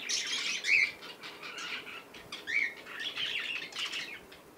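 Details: Young cockatiel playing, giving a near-continuous run of rough, hissy squawks broken by short squeaky chirps, with possible wing flutters mixed in.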